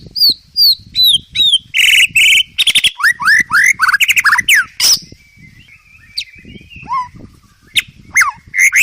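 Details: White-rumped shama training song for caged birds, rich in fill-in phrases: downslurred whistles, buzzy rasping notes and rapid rising slurs, over a faint low background hum.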